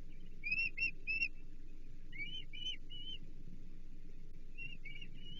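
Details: Osprey at its Chesapeake nest during a fish feeding, 15 April 2024, giving short whistled chirps in clusters of two or three, each slightly rising, separated by brief pauses, over a low hum.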